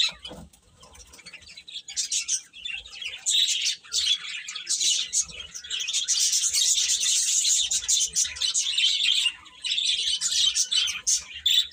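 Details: Baby chickens chirping: soft scattered peeps at first, building into a dense, loud wall of overlapping high chirps for most of the recording.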